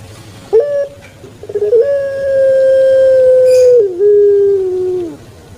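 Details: Captive puter pelung turtle dove, a cooing breed famed in Java, Indonesia: a brief stuttering start leads into a long level humming coo lasting about two seconds, which drops lower near the end and trails off.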